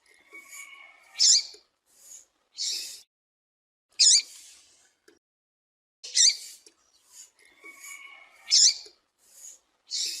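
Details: Female double-collared seedeater call used by breeders to excite males for tournaments: short, bright, high chirps in loose pairs and singles about every second or two, with a few thin steady whistles between, on a quiet background.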